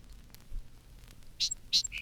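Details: A Song Sparrow sings in spring from roadside bushes, a burry, enthusiastic song fragment: two quick, burry high notes and a short clear whistle, over the faint hiss and hum of a 1954 recording.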